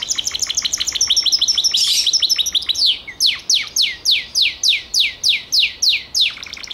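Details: Gloster canary song: rapid high chattering trills that give way to a series of loud, evenly spaced descending whistled sweeps, about two per second.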